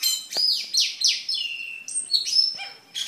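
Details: Cucak keling singing energetically, a bird kept for tutoring other caged birds and as a lure: a quick string of varied high whistles and sweeping notes, some sliding down, with brief harsh bursts between phrases.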